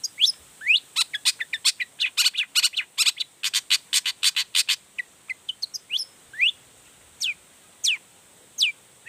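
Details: Long-tailed shrike singing emotionally to trigger other shrikes to reply: a rapid burst of dense, varied high chirps and trills, then slower, widely spaced rising whistled sweeps.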